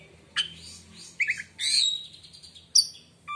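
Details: White-rumped shama in song meant to hush other shamas: a few loud, rasping and whistled bursts with a drawn-out buzzy phrase, recorded quietly over a low background hum.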